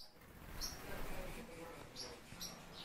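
Barn swallow giving three brief, high chirps spaced irregularly over a few seconds, above a steady low rumble of background noise.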